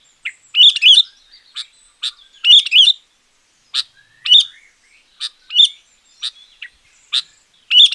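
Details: Sooty-headed bulbul song used to lure wild bulbuls or train quiet ones: loud, bright phrases of quick whistled notes around mid-high pitch, given in short bursts about every half second to second, with sharp chip notes between.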